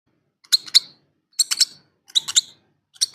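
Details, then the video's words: Hungry lovebird chicks give harsh, high chittering bursts in short clusters of two or three, repeated about every second, with nothing else heard. "melodious sound of hungry lovebird chicks"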